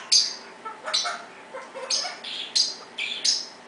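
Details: Evening chirping from a pet parrot at 6pm, loud so its owner knows it is still there, while a Pionus parrot makes noises in the background. Shrill chirps alternate with softer, lower squeaks in an uneven sequence.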